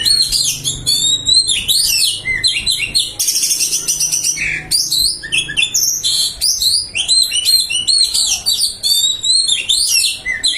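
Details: White-breasted magpie-robin singing a full fill-in song: a dense, rapid stream of varied high whistles, sweeping slurs and scratchy trills, the phrases changing every second with hardly a pause.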